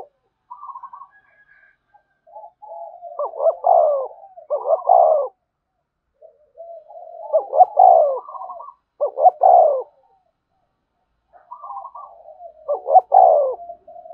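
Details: Spotted dove urging coo, 'gù thúc', used for exciting a newly caught decoy: soft low murmurs building into stuttered, throaty coos in three phrases, each ending on a fuller, falling note, with silent gaps between phrases.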